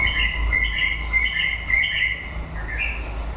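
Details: Late-breeding-season song of a white-rumped shama. A rich warbled phrase repeats about four times, each rolling through mid-pitched whistles, then ends in a rising, higher note over low hum.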